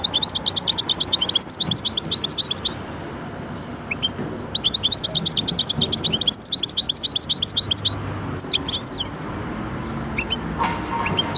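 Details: Goldfinch and canary hybrid singing, rapid bursts of high twittering notes and trills repeated in phrases separated by short pauses, with a faint background hum.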